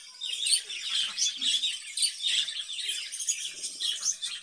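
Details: Caged budgerigar warbling in quick, throaty twitters and bright high chirps, steady throughout, with faint low murmurs underneath.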